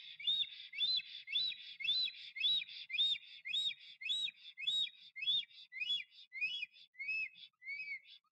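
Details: Male black stork singing and dancing at its nest while courting a female, Notecka Forest, 12 April 2023; a long regular series of bright arched whistles, nearly two each second, slowly dropping in pitch and softening at the end.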